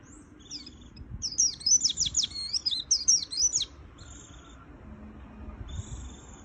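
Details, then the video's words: White-eye in full "gacor full isian" song: a dense burst of high, thin twittering notes with quick up-and-down sweeps, lasting about two seconds. A soft, fainter high whistle follows, over a low background hum. "Suara Burung Pleci Gacor Full Isian - Tiếng chim vành khuyên líu"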